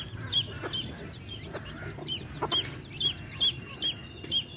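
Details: Baby chicks with a hen, chirping: bright, high peeps with a quick downward bend, repeated roughly twice a second in loose rhythm. Soft low knocks and a faint background hum sit underneath.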